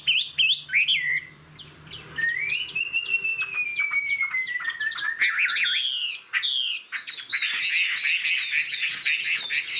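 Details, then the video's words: Tame Chinese Hwamei singing from a high perch; varied whistled phrases, a long slowly falling whistle, then a dense burst of rapid chattering and warbled notes. "Họa mi thuần, Đuôi lá vả, Chim hót cao cầu"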